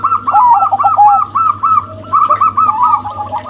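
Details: A crossbred male zebra dove and a local female sing loud, overlapping rapid coos. The tumbling, bouncing notes continue almost without pause for about three seconds.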